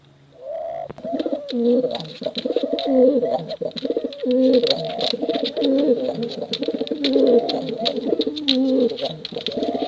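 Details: ['Male and female contest pigeons in a dense chorus of overlapping, bubbling coos that run almost without a break after a quiet start, with frequent sharp ticking clicks.']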